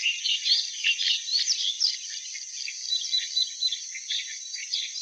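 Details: Clamorous reed warbler: a continuous, busy chatter of rough notes with a few quick whistled slurs early on, moderately loud and fairly even throughout, over a steady high hiss.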